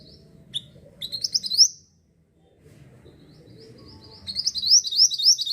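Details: Mantenan, the Javan sunbird, singing vigorously as a bird lure: two bursts of rapid high twittering, each a fast series of sharp rising notes, separated by a brief pause.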